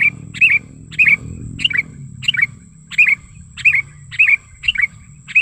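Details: Sooty-headed bulbul lure call, described as natural wild sound: short liquid two-part chirps repeated roughly every half second, bright and slightly descending, with a faint steady high tone in the background.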